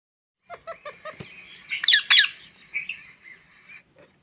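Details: Talking parrot eating an apple: a quick run of four short, clipped chirps, then a pair of loud, harsh, rasping bursts, followed by softer scratchy notes and a final faint chirp.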